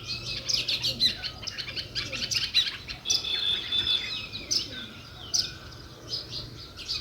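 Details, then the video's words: Sparrows in a natural setting give a busy stream of sharp, high chirps and short twitters, several birds overlapping in irregular bursts. "Natural Sparrow View and Sounds | Chirping Sounds"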